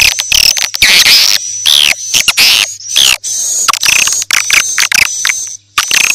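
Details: Edible-nest swiftlet lure sound for new swiftlet houses, a morning, noon and night mix: bursts of dense high twittering and sharp chirps over a thin sustained whistle, broken by brief silent gaps.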